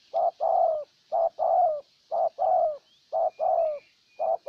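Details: Decoy spotted dove in Ninh Thuận calling to win over a wild bird: steady two-part coos, a clipped note followed by a drawn-out sliding coo, in an even rhythm; faint thin whistles in the background.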